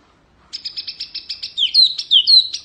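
An Oriental white-eye sings a run of quick, high chips, about eight in a second, then breaks into a sweet twittering warble of rising and falling notes.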